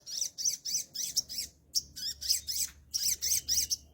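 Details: Caged Sooty-headed bulbul, in moult yet still singing, giving a rapid series of harsh, squawky chirps, each a bright buzzy burst with a sweeping inflection, repeated in quick bursts roughly every quarter second with short pauses.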